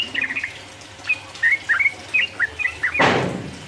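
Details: Short burst of sooty-headed bulbul 'ropel uplik uplik' song aimed at rival birds: a handful of quick, bright slurred chirps, ending in a sudden loud rustling noise.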